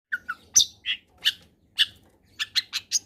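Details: Long-tailed shrike in full combination song, used as a lure to get reluctant shrikes singing: spaced short chirps and sharp high notes, some with a clipped upper whistle, separated by brief pauses and ending in a quick run of four notes.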